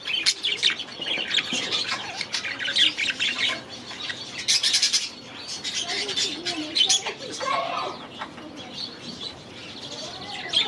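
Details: Last year's baby budgerigars, now grown, in their new aviary; a mixed flock chatter of chirps, buzzy squawks and soft warbles, louder at first and easing later.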